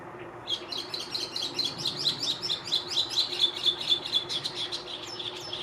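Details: Chestnut-cheeked starling song recorded on 14 May 2021: after a brief pause, a fast chattering stream of high squeaky notes and scratchy chips, repeated about twice a second, over a faint low background hum.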